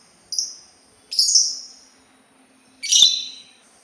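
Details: Sultan tit uttering three separate high, harsh calls spaced about a second apart, each a short burst with a trailing fade.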